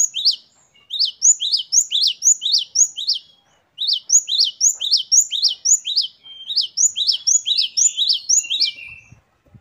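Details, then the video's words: A great tit (Parus major) sings fast, high, ringing two-note phrases, about four a second, in bursts separated by brief pauses, with no other sounds. "Gelatik Batu Gacor Variasi Mewah. Great tit. Singing birds."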